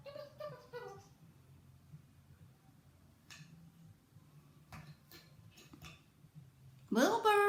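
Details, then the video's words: Pet Eclectus parrot Wilbur chatters indoors in quick, speech-like bursts of falling syllables, then a few soft clicks, ending in a loud, harsh, rising squawk; quiet indoor hum throughout. "Eclectus parrot Wilbur Chatting up a storm !!"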